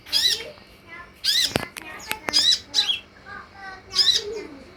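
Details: Olive-backed sunbird lure recording meant to provoke a reply: rasping high chattering bursts spaced irregularly, a few sharp clicks and short high notes in between.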